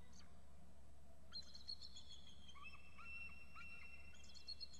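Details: Both adult eagles calling excitedly at the nest before leaving for a neighbouring tree, a juvenile perched close by: strings of high piping notes, several birds overlapping in descending stepped runs, over steady low hum.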